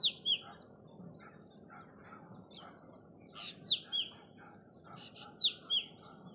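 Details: Black drongo at 07:45 am on 19 February 2023, Gatadwadi, Walwa, Sangli, Maharashtra, giving sharp, high notes in quick pairs, each dropping in pitch, repeated every couple of seconds; softer chirps from other birds and a low hum.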